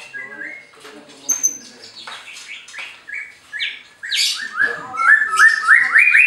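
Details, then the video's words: White-rumped shama from a bird farm in Anyer, Banten, singing to provoke rivals: varied whistled phrases, sliding notes and sharp high chips, ending in a rapid rising series of bright whistles. "SUARA MURAI BATU INI, BIKIN LAWANNYA LANGSUNG BEREAKSI"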